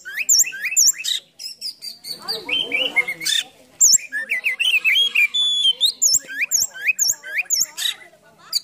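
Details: Oriental magpie-robin (kacer) giving a full, rich song, tail open in a cobra-like display. Quick upslurred whistles and high sharp notes repeat in bursts around a dense, chattering middle passage. The phrases are loud and varied.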